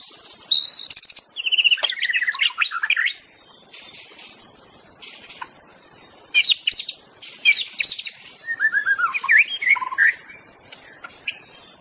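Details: White-rumped shama in the wild, its song used to lure other shamas to sing; bursts of rapid whistled and chattering notes separated by pauses of several seconds, over constant high hiss.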